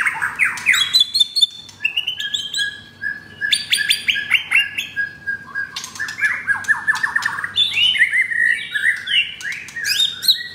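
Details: Captive F4 pied White-rumped shama from Jakarta, Indonesia, with rough 'materi kasar' song. It opens with a fast series of descending buzzy notes, then mixes long whistles, harsh rattles and rapid chattering trills.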